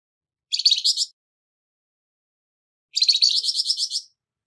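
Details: Flamboyan bird with a coarse voice used for songbird training; two buzzy, rapidly pulsed high phrases, the second longer, separated by about two seconds of silence.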